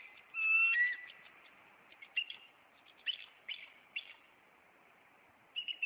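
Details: Bald eagles of a nesting pair in Maine on April 26, the male flying at an intruder and landing on a branch. A loud whistled note is followed by a scatter of sharp, high chirping pips.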